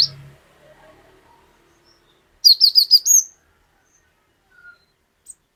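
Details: Cinereous tit (glatik batu) in lively song of the 'wucit wucit panjang' type: after a brief low thump and near silence, a tight run of five or six piercing high whistled notes, then a couple of faint soft chirps.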